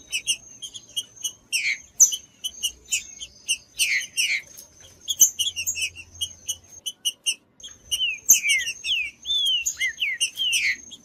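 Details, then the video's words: Green-winged saltator singing, used to get a cold bird singing: scattered downward whistles give way to a fluent string of looping, slurred phrases, backed by rapid high chirps and a steady thin tone. "ESQUENTAR TRINCA FERRO frio TRINCA FERRO CANTANDO"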